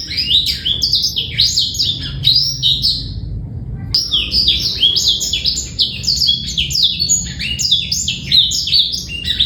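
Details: Young-bird training song of a male black-throated canary: a burst of high slurred chirps, a short silence with a click, then a renewed fast, dense run of bright twittering notes.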